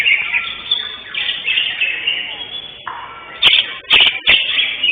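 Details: Greater green leafbird (cucak hijau) singing at a bird singing competition held 11 October 2025 in Indonesia, the first-place winner; bright, rapid, high warbled phrases run continuously, with several sharp clicking bursts near the end.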